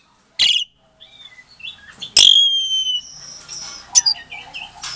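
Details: Asian pied starling, captive-bred in Klaten, Indonesia, February 2022, with a lure song to set off silent starlings: a harsh burst, soft warbling, a loud ringing whistle held briefly, then scratchy chatter.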